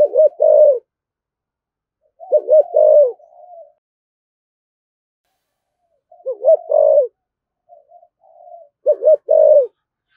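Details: Spirited 'thổ thúc gù' cooing from a spotted dove: four low hollow coo phrases, each two quick notes and a swelling longer one, with quiet murmuring between some phrases.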